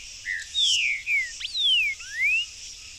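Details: Buff-throated saltator singing freely in a backyard with fruit: clear whistled notes sliding down and up, with a long falling slur and a rising final note in a short phrase, over a steady high insect hiss.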